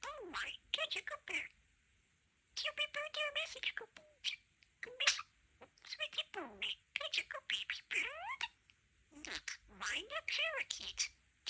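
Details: Pet male budgerigar talking, blending two taught phrases, "Oh my goodness" and "pretty chicken", into a new combined phrase; bursts of scratchy, voice-like chattering with warbling tonal syllables, separated by short quiet pauses, in a quiet indoor setting.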